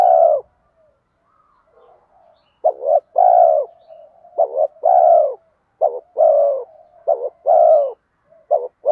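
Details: Spotted dove giving urging 'giọng đồng' coos to attract wild doves: one coo, a quiet pause with soft murmurs, then five quick phrases of a short broken note and a longer mellow coo.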